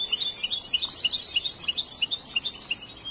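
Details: European goldfinch, a large young bird still in song training after being raised from hatching, repeats sharp high tinkling notes about three times a second in a steady twittering run.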